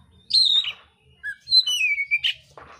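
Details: Mintal-type oriental magpie-robin singing a combative song with rough mimicry: a bright whistled slur, a short low note, then a long falling whistle ending in a harsh burst.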